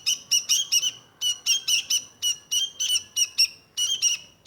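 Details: Quick chattering phrases from a sooty-headed bulbul, short bright notes grouped in threes and fours with short pauses between groups, over quiet background.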